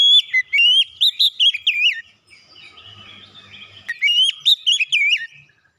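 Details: Pancing song of an Oriental magpie-robin, used to prompt a bird that has stopped singing. Rapid bursts of loud, wavering whistles and sharp chirps come first. A quieter pause follows, then another burst of rich whistled phrases.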